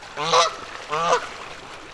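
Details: Canada geese giving two loud nasal honks, each about a quarter second long with rich stacked harmonics, separated by a short pause; quiet background otherwise.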